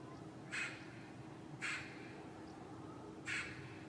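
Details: A Eurasian magpie, one of a spring-nesting pair in a courtyard during lockdown, gives three harsh, rasping single notes about a second or more apart over a steady low hum; the pair gives alarm calls and harasses a cat.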